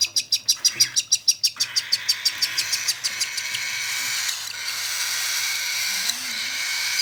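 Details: Cockatiel being hand-fed, of lutino, albino or whiteface colouring: a fast, steady train of sharp high chirps for about three seconds, fading into a continuous hissing noise for the rest.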